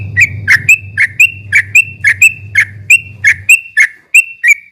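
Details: Yellow-vented bulbul (trucuk) in ropel song meant to stir up opponents: rhythmic, bright descending whistled notes in quick succession, with a low droning hum beneath that stops near the end.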